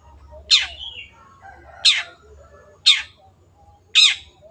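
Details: Long-tailed shrike uttering four loud, grating, downward-sliding calls roughly a second apart, each short and abrupt, with a faint background hum between.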